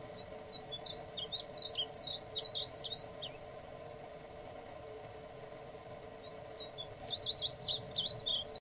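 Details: Male painted bunting singing two separate bursts of rapid, high, sweet warbling, each about three seconds long, with a quiet gap of several seconds between them. Low steady hum in the background.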